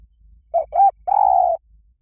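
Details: Spotted dove in the 'liu tan' song style, used as a lure to train a dove to call back. One phrase: a short low coo, a slightly rising second coo, then a long, steady, drawn-out coo.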